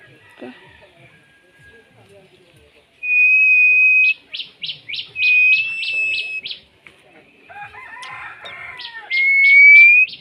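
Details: Pet common myna giving clear, loud, slightly rising whistles, broken by bursts of rapid repeated buzzy pulses and a harsh chattering passage before a final upward-sliding whistle; quiet room otherwise.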